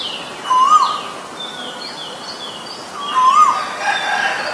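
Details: Asian koel, from a recording that names both a male and a female. Two rising whistled notes arrive about two and a half seconds apart, with faint higher bird chirps and steady outdoor ambience behind them.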